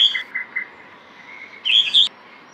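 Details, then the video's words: A red-whiskered bulbul gives three quick bright chirps, then a short rich warbled phrase of two loud bursts; no other sounds stand out. "붉은구랫나루직바구리(Red whiskered bulbul) 입니댜..^^"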